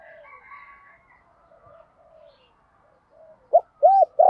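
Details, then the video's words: Spotted dove's calling coo in the 'giọng đồng' style: a quiet murmuring stretch, then three loud low coos close together near the end, the last one held longer. "cu gay giọng đồng gáy gọi"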